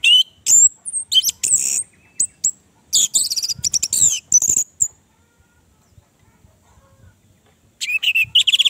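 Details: Lure song of the Orange-headed thrush to restart a kept bird's singing: about five seconds of fast, dense, high chattering and whistled phrases, a silence of nearly three seconds, then another rapid buzzy burst.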